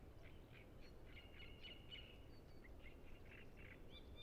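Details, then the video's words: Great Reed Warblers, many singing at Emajõe Suursoo reserve by Lake Peipus, give rapid scratchy chirps and short whistled notes in quick succession, captured with a Zoom F6 recorder and Sennheiser MKH 8040, against constant low-frequency rumble. "Great Reed Warbler Sound Library"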